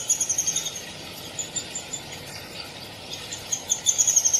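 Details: Downy woodpecker giving rapid strings of sharp, high-pitched chips, a burst at the start and a longer run at the end, quieter scattered notes between, over soft constant background noise.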